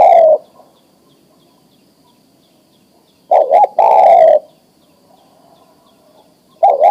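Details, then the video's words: Adult male spotted dove calling a female to mate: a short coo ends, then after a pause a double note and a long falling coo, with the next phrase starting at the close. "Suara Tekukur Jantan Memanggil Betina Siap Di Kawinkan"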